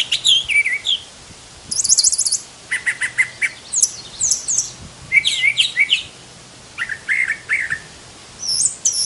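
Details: Song of a Brown thrasher, a bird said to know about 1,200 song types: a rapid series of varied phrases, including sweeping high whistles and rattling trills, each phrase brief and quickly followed by a new one.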